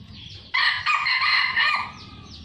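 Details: Red junglefowl kept in captivity on a Sumatran breeding farm: after a quiet start, one loud harsh crow of about 1.3 seconds with a brief break partway through, then fading back to low background noise.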